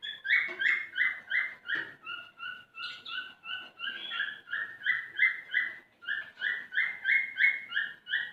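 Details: Singing male cockatiel trying to stimulate a female to mate, an unbroken chain of clear whistled notes at an even pace, alternating slightly higher and lower tones.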